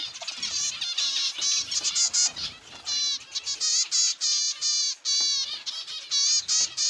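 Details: Aviary zebra finches calling loudly: clear, nasal, trumpet-like beeps with stacked harmonics, delivered in quick separate notes about every half second, several birds overlapping, with a faint background chatter.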